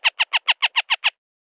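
A Northern harrier gives a rapid chatter of eight harsh, nasal kek notes, evenly spaced about seven per second, then stops; no other sounds are heard.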